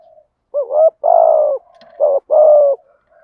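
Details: Lure coo of a native-breed spotted dove, used to provoke a wild bird into cooing: two phrases, each a quick curling note and then a long, full coo that drops slightly. Faint soft hum between them.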